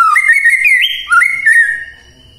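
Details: ['White-rumped shama, morning song to provoke silent shamas: smooth, sustained whistled phrase that climbs and then steps down through slurred notes before fading away.']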